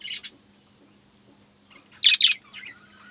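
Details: Budgerigar giving a short twittering burst, a pause of quiet, then two loud harsh chirps followed by softer trailing twitters, faint hum behind.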